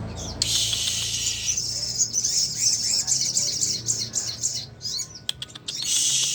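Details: Sunbird, known locally as sogon, singing a training song for songbirds: a rapid, high, shimmering trill of tiny notes that runs for several seconds, pauses, then resumes, with faint low background noise.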